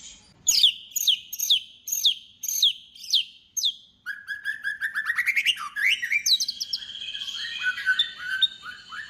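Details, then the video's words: White-rumped shama in full song, meant to provoke other shamas into singing and showing off its repertoire; a run of sharp, repeated high notes about every half second, then a fast buzzy trill and a dense tumble of whistles. "murai batu gacor AMPUH UNTUK pancingan murai batu agar bunyi"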